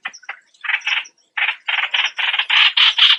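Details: Streak-eared Bulbul giving harsh, buzzy chattering notes in irregular bursts, with short gaps between clusters and faint high ticks above.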